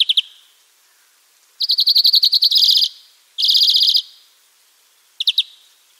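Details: European greenfinch, wild bird, delivering loud rapid trills, one longer run of pulses followed by a buzzier stretch, then another trill and a short double note, with clear silences between.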